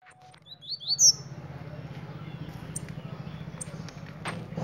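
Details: Blue-black grassquit giving a single short, sharp upward-sweeping buzzy note near the start, followed by a steady low hum and faint background noise.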